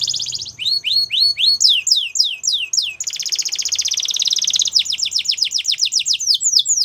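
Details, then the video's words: Belgian canary singing, used to train young canaries: repeated sweeping whistled notes lead into a long buzzy rolling trill, then a fast run of descending notes. "Belgian Canary Singing"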